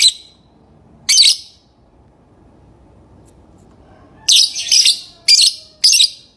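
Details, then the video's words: Lovebird with two isolated shrill chirps, then a quick run of four harsh, high calls close together near the end; quiet background between. "Love bird singing & chirping sounds"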